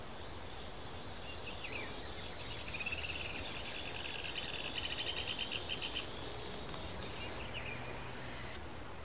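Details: A rufous hornero in breeding season gives a fast, even run of sharp notes lasting about three seconds, over a steady high buzz of insects.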